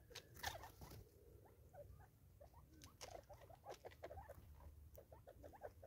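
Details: Five Natal spurfowl eating together in South Africa, 2024, giving rhythmic sounds: a steady stream of soft, short mid-pitched notes in quick succession, with scattered sharp clicks and a low background rumble.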